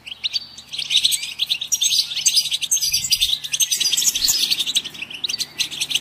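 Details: Goldfinch singing a dense, continuous twitter of high tinkling notes, trills and chirps that barely pause, with a faint low hum beneath.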